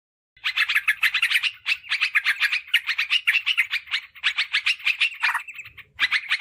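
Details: Yellow-vented bulbul lure sound, meant to call wild birds in forest or garden and to tutor caged birds: dense runs of rapid, harsh chattering notes in tight bursts, with short pauses, continuing for most of the stretch.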